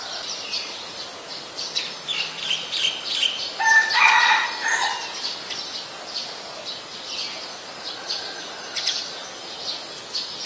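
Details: Great myna (White-vented myna, Acridotheres grandis) in Ubon Ratchathani, Thailand, on 11 January 2021, giving harsh, chattering calls mixed with squeaky whistles and creaky notes, loudest in a burst around the middle, over busy background bird chatter.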